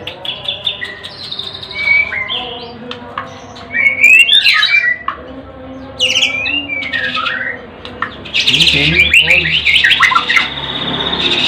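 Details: White-rumped shama singing: varied whistled phrases and sharp upslurred notes with pauses, ending in a dense burst of fast high chattering trills.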